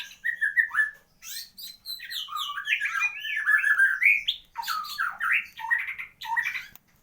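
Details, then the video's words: White-rumped shama (murai batu) singing its 'isian lengkap' full-repertoire champion song: fast, continuous warbled and slurred whistles, rising and falling phrases packed closely, with short pauses between bursts, in a quiet room. "burung muraibatu istimewah"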